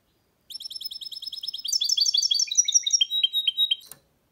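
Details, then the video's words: Singing goldfinch mule, a hybrid, gives a rapid series of high twittering notes turning into slower, descending chirps, with a brief click at the close. "Goldfinch mule’s (hybrid) singing"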